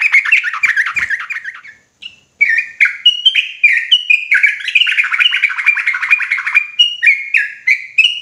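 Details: Agitated sooty-headed bulbul singing ropelan style: nearly continuous torrent of fast chattering and whistled notes, one brief break, then long rolling phrases with notes stepping up and down in quick succession.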